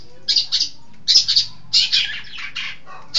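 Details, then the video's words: Long-tailed shrike, named as an East Java bird and praised as intelligent and in full song, gives harsh, buzzy, rasping notes in short clusters of two or three, repeated at uneven intervals. "Burung Pentet Jawa Timur Cerdas Gacor"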